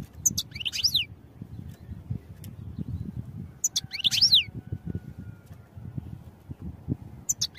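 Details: Short high phrases from a European goldfinch used for song training, each a tight cluster of chirps sliding downward, two bursts about three seconds apart with a thin whistle trailing between, over a low murmuring background.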